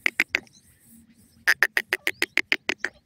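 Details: Francolin pair, Dakhni and Iranian teetar: three quick sharp notes, a brief gap, then a rapid run of about ten clipped, ringing notes over a low hum.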